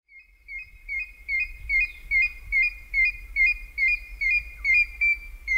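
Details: African grey hornbill calling in Kongelai, Kenya: a steady run of high, piping whistled notes, about two or three a second, over a low background rumble of wind.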